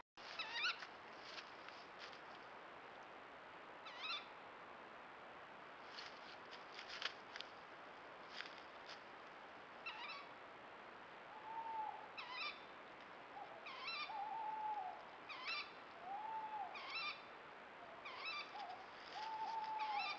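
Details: Owl gives short, arched screeching notes, repeated several times at night, startling red deer hinds caught on an infrared trail camera, February 2023.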